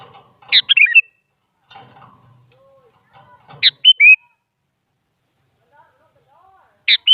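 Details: Lure song of a sooty-headed bulbul, described as a female calling a male: bright descending whistled phrases about every three seconds, separated by faint rough low murmurs.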